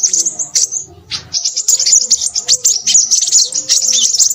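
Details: Crimson sunbird singing excitedly: dense, high-pitched twittering chatter, a brief pause near one second, then rapid sharp chips and trills running on without a break.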